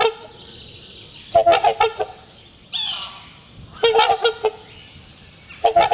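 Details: Trumpeter swan pair in spring courtship, trumpeting to renew their bond and mark territory; loud brassy honk series come in three bouts about two seconds apart, with a softer hoarse call between and thin background whistling.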